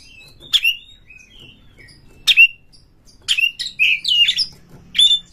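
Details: Caged white-rumped shama song used to provoke a rival to fight: sparse sharp whistled notes, a few slurred rising and falling whistles with brief harsh strokes, separated by quiet gaps of about a second.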